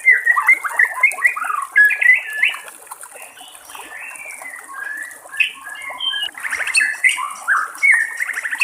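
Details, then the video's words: Wild white-rumped shama, trickling water behind, delivering a continuous warbled song of varied whistled phrases that rise and fall, with brief quieter gaps between bursts. "SUARA BURUNG MURAI BATU DI ALAM LIAR"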